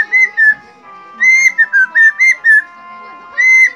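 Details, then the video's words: Helmeted friarbird in a cage whistling while teased. A long whistle, then a lively run of five short, looping notes, and another long whistle to close, with a steady low hum behind. "KOAK KAOK PANDAI BERSIUL"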